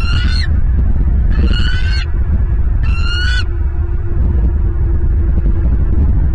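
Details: Bald eagle at a nest in Southwest Florida, filmed by a nest camera on 23 January 2023 around 09:45: three bursts of high, thin, harmonic chirps, each slightly rising and about half a second long, over steady low wind rumble.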